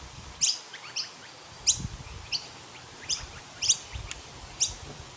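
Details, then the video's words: A noisy miner chirping in a tree in the morning in Australia gives sharp, high chipping notes, seven in five seconds at an uneven pace, over a faint low background hum. "Noisy Miner Chirping in a Tree"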